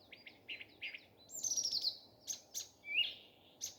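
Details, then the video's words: Common nightingale singing in the morning: loud, varied phrases of high whistled notes, sharp chips and buzzy trills, with a bright rising whistle near the end. Short pauses separate the phrases, and there is faint low background hum. "Nightingale singing. Утренее Пение Соловья."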